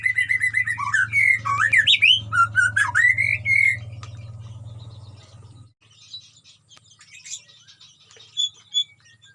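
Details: White-rumped shama, colony-caged, pouring out fast warbled whistles that rise and fall sharply over a low hum, then fading to scattered faint notes.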